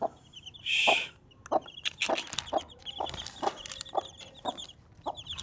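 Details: Mother Desi hen clucking with her four chicks, evenly spaced low clucks roughly every half second, one loud shrill chick cheep early on, then softer high peeps scattered throughout.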